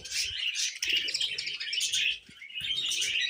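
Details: Tame pet budgerigars chattering: a dense, continuous warble of scratchy chirps and squeaky notes with brief pauses, plus a few soft low thumps.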